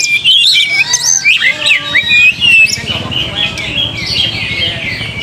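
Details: Oriental magpie-robin lure song, played to make a young bird sing readily, fight, spread its tail and rouse its temper: loud whistled and chirping phrases, rising and falling notes in quick bursts, fading into a softer, busier warble with a low hum beneath.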